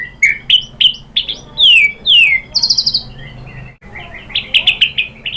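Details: Provoking white-rumped shama song: sharp high chips and sweeping downslurred whistles, a buzzy trill, a short gap, then quick high notes.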